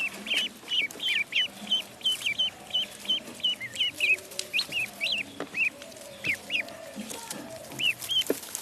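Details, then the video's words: Pond duckling calling in a rapid string of bright, high peeps, paired and single chirps spaced unevenly over a soft background hiss. "Duck Sound duckling in the pond -duck quack"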